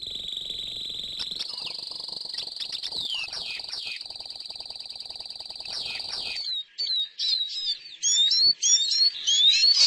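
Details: Caged Eurasian siskin, kept as a pet, gives a dense twittering song of rapid high chirps and sweeping notes, with a sustained buzzy trill, then clearer separate whistled phrases in the last few seconds.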